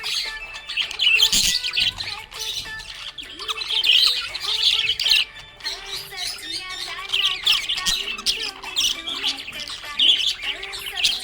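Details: Budgerigar, described as happy, chattering busily in bursts of scratchy chirps and short whistles, a brief pause near the middle, with music playing underneath.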